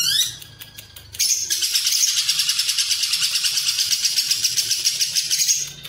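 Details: Lovebird ngekek, cililin filling, used as a tutor for contest birds: brief rising squeak and clicks, then a long unbroken high chattering trill pulsing steadily to the end.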